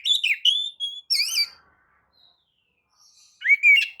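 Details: White-rumped shama lure song to set other birds singing: quick warbling notes and a level whistle, a looping phrase, over a second of near silence, then a rising slurred whistle.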